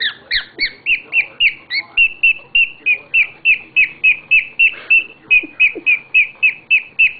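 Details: A happy pet bird gives a strange singing display: loud, whistled, rising-then-falling notes repeated steadily about three or four times a second, following a few higher squeaky notes at the start.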